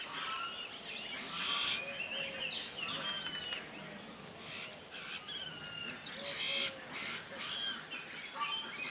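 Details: A juvenile white-throated laughingthrush (Pterorhynchus albogularis) begs to be fed while being fed, giving two bursts of harsh, high, insistent begging notes about five seconds apart amid chatter; scattered whistled chirps from other birds fill the background.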